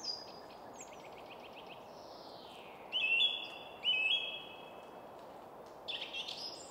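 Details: Song thrush singing from atop a spruce tree in quiet suburban woodland at Väsby sjöang near Stockholm, Sweden: high whistled notes, then two near-identical short phrases repeated about a second apart, over a steady low hum of city traffic.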